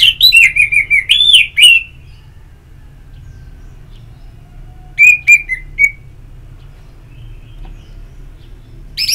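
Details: Ngeplong-style singing of an orange-headed thrush, used as therapy to get birds singing: a rapid run of warbled whistles lasting about two seconds, a shorter whistled phrase after a pause, then a faint note at the close.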